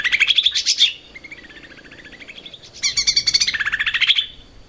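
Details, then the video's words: Lesser green leafbird in lively song for cage bird training: a rising rapid trill, then softer wavering buzzy notes, and another loud, fast run of repeated whistled chirps. "kicau cucak ijo mini gacor buat masteran"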